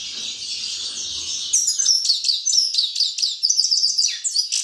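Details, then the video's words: Grey-crowned (Himalayan) goldfinch singing a fast, high, tinkling twitter of bright chirps and trills, with a dense, buzzy chatter at the start. "Седоголовый щегол красивый голос"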